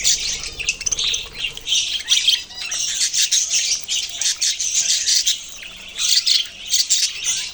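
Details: Loud budgie squawking and chirping, harsh notes packed tightly in irregular pulses, a busy flock voice filling the whole stretch.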